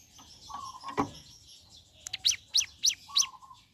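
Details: Ciblek gunung in morning song: soft low whistles and a sharp click, then a short run of four high, downward-sweeping chirps, followed by a flat low whistle.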